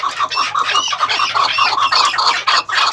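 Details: Captive chukar partridges, first- and second-cross maskati breeding pairs on a farm, give rapid, repeated clucking notes. Several birds call together in a dense, overlapping chorus.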